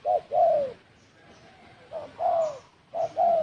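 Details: Spotted dove calling to provoke other birds: a short low coo followed by a longer falling coo, the pair repeated about once per second, clear and dominant with a quiet background.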